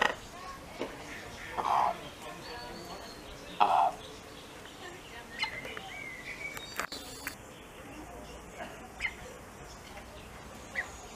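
A common raven gives two deep, harsh croaks about two seconds apart, with faint thin calls of other birds in the background.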